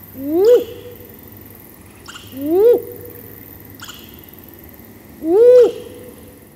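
A female great grey owl gives three short, hoarse whooping notes that rise then drop, spaced about every two and a half seconds over a quiet background.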